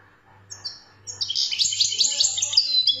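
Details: European goldfinch, a wild 'khloui' bird from Algeria, singing: after a few thin high notes, a fast, dense, tinkling twitter of mixed high chirps and trills runs continuously over a low steady hum.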